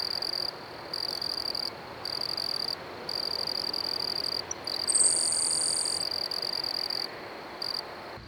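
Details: At Manassas National Battlefield Park, a Grasshopper Sparrow perched on a cannon gives one thin, high, insect-like buzz of about a second, opened by a couple of faint ticking notes, over steady pulsing cricket trills.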